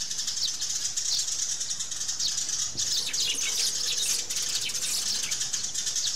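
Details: Sparrows calling in and jumping, with fighting sounds: continuous crowded high-pitched twitters and chirps, a few sharper notes near the middle.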